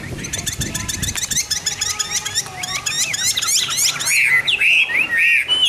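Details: A hwamei singing in the morning pours out a rapid, varied run of high chirps and sweeping notes, then ends with loud, rich, rising whistled phrases. A faint low rumble sits underneath.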